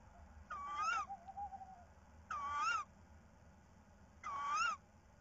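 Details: On 10 March 2019 at about 19:24, a Tawny Owl brings a small mouse to the female, giving three harsh, nasal, wavering calls, each about half a second long, roughly two seconds apart, over a faint low rumble.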